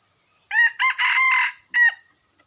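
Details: Red junglefowl crowing: a loud harmonic crow in several segments, a short first note, a longer sustained middle phrase, then a final clipped note after a brief pause, in otherwise silent surroundings.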